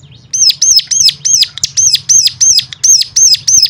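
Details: Loud bird song to trigger other cigun: clear high notes that rise then drop, given in a steady train of about three per second.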